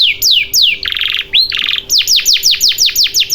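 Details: Canary song serving as a lure to make a silent canary sing, with falling whistles, two dense buzzy rattles separated by a rising note, then a quick run of sharp downslurred notes.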